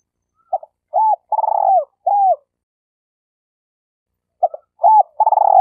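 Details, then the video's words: Decoy spotted dove used to lure wild doves for trapping. It coos a full phrase of soft double notes, an arched hoot and a long rolling purr that falls away, then pauses about two seconds and starts the phrase again. "Suara Burung Tekukur Denak Padu Juara All Star"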